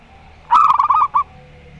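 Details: A single loud zebra dove phrase: five or six fast, clipped cooing notes ending in a short separate note. The birds are local perkutut, one singing Rondo Semoyo style and one with an odd voice.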